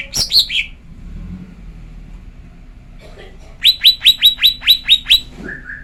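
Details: Female lesser green leafbird calling to provoke males into song: a few sharp falling notes, a quiet stretch, then eight loud downslurred chirps in quick regular succession and a brief lower whistle.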